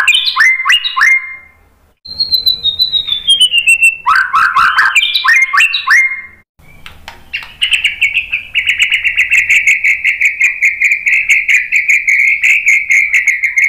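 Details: White-rumped shama song used as a lure to get other birds singing: quick rising whistled phrases, a long sliding whistle falling in pitch, more bright phrases, then a long steady, rapidly pulsed trill held for several seconds.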